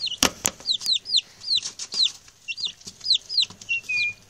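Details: Newly arrived male domestic chicks, six in all, chattering after settling in: clear high peeps that slide downward, spaced about every quarter second, with a couple of sharp clicks near the start and a short level whistle-like note at the end.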